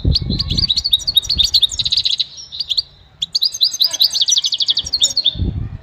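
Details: Goldfinch singing in a quiet setting for song training: fast tinkling twitters and buzzy trills in two long phrases split by a short pause, with low thumping noise at the start and end.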